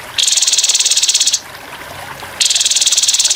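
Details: Rough rapid-fire grey-headed babbler song from a training recording with trickling water: two long, dense, harsh buzzy trills, each lasting about a second, high-pitched and evenly pulsed, separated by a short quiet gap.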